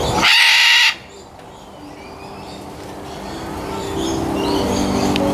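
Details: Macaw giving a loud, harsh, broad screech lasting under a second, followed by quieter background chatter and faint whistles.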